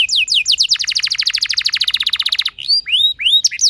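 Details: Canary song meant to trigger other canaries into rolling song: a few falling notes lead into a long, rapid trill, followed by separate rising whistled phrases.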